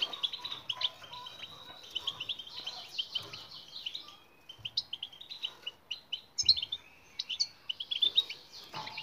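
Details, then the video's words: European goldfinch song played to make silent birds sing: varied high twitters, thin whistles and rapid trills in irregular phrases, with scattered clicks and a low background. "بتبتة المقنين الصامت لحل جميع المشاكل السكوت.. jilguero"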